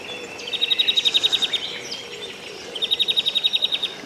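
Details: Morning riverside birdsong with two rapid high trills of evenly spaced ticking notes, each about a second long, separated by a pause with scattered faint chirps, over a low wash of outdoor noise.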